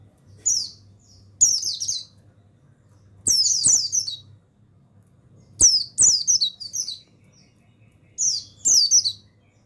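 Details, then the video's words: Male Bustomi mountain white-eye recorded for training other birds: five bright, high-pitched twittering bursts, each a cascade of falling notes roughly every two seconds, accompanied by clicks and a low humming noise. "Suara Pemasteran yang Untuk Pleci Bustomi"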